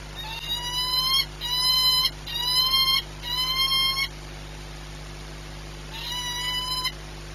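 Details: Peregrine falcon recorded 22 March 2021, 14:39, at Orlen in Płock, Poland: four rich, nasal, upslurred wails in quick succession, then a pause before a fifth, with constant background hum.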